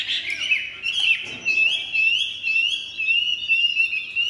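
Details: Chinese hwamei kept as a cage bird, pouring out a high, wavering whistled song. Trills and slurred notes run almost without a break, louder in several pulsing bursts.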